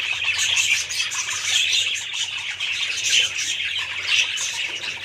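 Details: Chattering budgerigars: scratchy warbles with clearer whistled notes surfacing about once a second over a steady high babble, plus a faint low hum.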